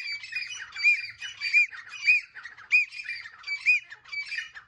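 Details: Teetar, a francolin, giving harsh, squawking notes in a steady run, each rising and falling sharply, repeated roughly every 0.65 seconds without pause throughout.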